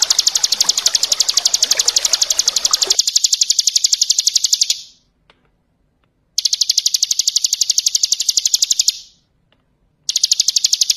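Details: Bar-winged prinia in ngebren style, recorded as tutoring song for other birds: long stretches of rapid, high, rattling chip notes separated by abrupt silences, with splashing water beneath the first few seconds.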